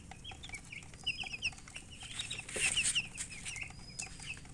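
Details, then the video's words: Chickens chirping, a scatter of short, high, downward-slurred peeps, some in quick pairs and runs, with a louder burst of overlapping chirps near the middle and faint scratchy rustling throughout. "silly chicken chirping sounds with murgi hen color chicken"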